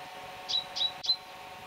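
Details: Great tit (Parus major) from León, Spain, recorded March–April 2019, giving three short clear high notes in quick succession, evenly spaced about a quarter second apart, over a quiet background.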